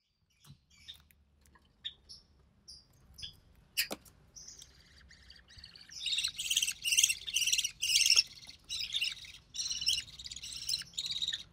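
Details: Recessive pied budgerigar chick, hatched early June 2020, offspring of a White Recessive Pied male and Albino Red Eye female, fed by its mother: faint scattered clicks and ticks, then after six seconds a run of loud, harsh, buzzy rasping bursts.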